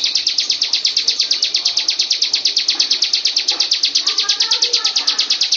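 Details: Master training song of a Bar-winged prinia, a continuous, metronomic run of bright, high-pitched chirped notes, about three each second, with faint lower twittering beneath toward the end.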